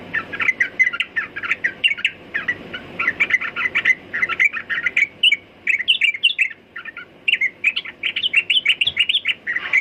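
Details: Nearly continuous sooty-headed bulbul song lasting about ten seconds, made of rapid bubbly chirps and warbles with only one brief pause in the middle.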